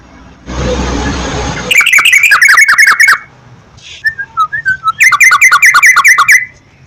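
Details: Yellow-vented bulbul song played to encourage a kept bird to sing: a hissing noise burst first, then rapid bubbly whistled phrases, a few descending soft notes, and another fast chattering run.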